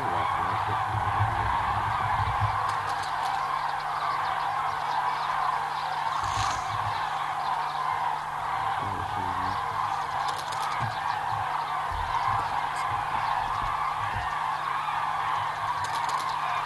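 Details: A large flock of common cranes (Grus grus) flies into the roost at Hortobágy, Hungary, in autumn, calling continuously in a dense chorus of loud, rolling trumpeting notes.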